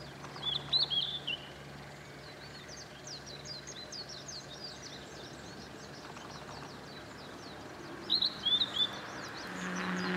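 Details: A distant Blue-and-white flycatcher in Tokushima Prefecture, Japan gives two short, clear whistled phrases about seven seconds apart. Japanese white-eye and other thin bird chirps and a low rural hum fill the background.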